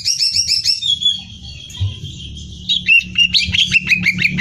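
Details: Greater green leafbird singing nonstop for contest training: a rapid series of bright, wavering whistles, a brief lull, then loud ringing notes and chips, with a faint rumble underneath.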